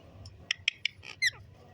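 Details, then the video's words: Green parrot playing and interacting with its owner: a quick series of short, sharp clicky notes, then a louder, descending, whistled squeak, all within under two seconds. "Beautiful Green Parrot Playing & Making Stunning Sounds"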